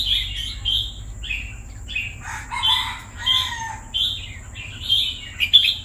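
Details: Red-whiskered bulbul kept in a cage for two years gives loud, clear whistled phrases, each about half a second long, repeated roughly every second. Some lower warbled notes appear midway, over a faint steady background tone.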